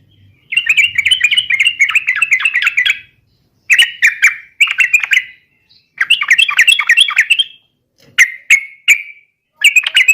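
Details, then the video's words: Yellow-vented bulbul singing steadily, used as a lure to get other birds singing and answering: bubbly, chattering phrases of quick warbled notes, delivered in bursts of about one to three seconds separated by short pauses. "SUARA trucukan gacor garuda pancingan trucukan agar cepat gacor"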